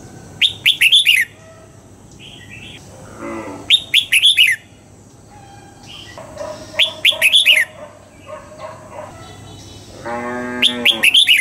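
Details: Morning song of a red-whiskered bulbul being trained in the double-note 'old forest' style. Short phrases of rapid, clear whistled notes repeat every three seconds or so, between softer chirps and a brief nasal, harmonic call.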